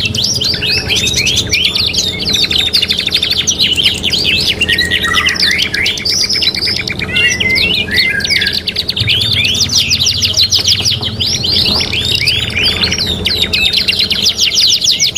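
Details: Long bout of prolific canary song from a three-in-one training recording: unbroken rapid trills, rolling buzzy runs and looping whistles, changing tempo repeatedly, with a faint low hum underneath.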